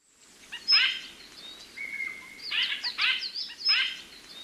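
White-winged Grosbeak giving harsh, buzzy bursts with a bright whistled note, repeated every half second or so, over a soft background hiss.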